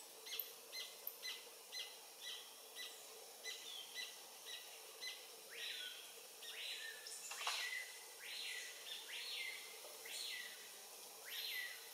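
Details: Singing adult Paradise Jacamar, Galbula dea dea, by the Comte (Oyak) river, French Guiana, late morning, November 2023. Short high notes repeat, then louder slurred notes rise and fall in a series, with soft forest ambience.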